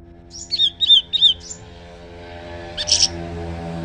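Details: Leafbird song exchanged with a scarlet minivet: three loud whistled phrases, each a looping slurred note in quick succession, followed after a pause by a brief bright high burst; steady low hum beneath.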